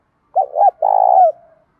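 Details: A spotted dove, thổ voice style, delivers a loud, clear challenge and calling coo: two brief rounded hoots, then a long, lightly purring coo that slides downward and fades out.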